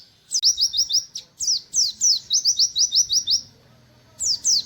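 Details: Buxtoni white-eye delivering a 'wit wit' style song: bright, high, rapidly repeated chirps in runs of several notes, separated by short gaps, ending after a pause with a fresh burst.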